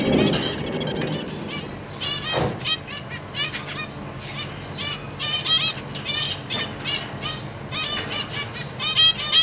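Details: Captive zebra finches with three juveniles and three new babies being fed by their parents, 14 April 2023: bursts of harsh, stacked nasal calls from several young, with a thump and rustling near the start.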